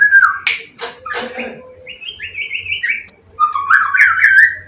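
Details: Young wild-caught white-rumped shama singing in a cage while the cage is held. A harsh, buzzy burst opens, followed by sharp clicks, then a run of short whistled notes and a warbled, rising phrase.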